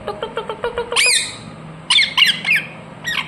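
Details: Pet ringneck parrot with a quick string of short clipped notes, followed by loud, ringing, downslurred shrieks spaced irregularly.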